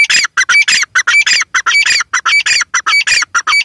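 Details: Dense, steady series of loud grating squawks from a female grey francolin, close to two per second, each note rough and broadband with a brief pure whistled tick inside.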